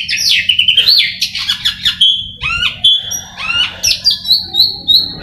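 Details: Song of an Oriental magpie-robin (kacer) readied for song contests: looping wavy whistles, sharp chips and evenly spaced staccato notes toward the end, mixed with harsh rasps; a low hum runs underneath.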